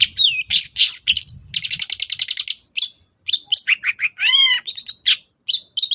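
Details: Long-tailed shrike singing in the morning to provoke other birds into responding: mixed phrases of whistles, a fast stuttering series of notes, and a prominent arching whistled note, all high and varied with short pauses.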